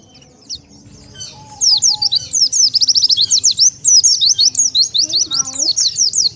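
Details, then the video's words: Lure call of an Oriental white-eye for attracting wild birds: after a quiet start, a dense run of sharp, high, zigzag chirps, several per second, continuing without pause to the end. "SUARA PIKAT BURUNG PLECI"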